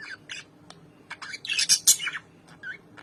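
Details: Reunited albino lovebirds, apart for more than four months, give a rapid run of clipped chirps that builds into loud, rasping squawks before tapering into a few softer notes.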